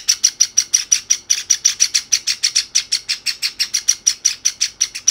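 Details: Pet Java sparrow chicks, a white and a sakura-patterned one, begging from each other indoors instead of feeding themselves: rapid, evenly spaced high chirps, about five each second, continuing steadily throughout.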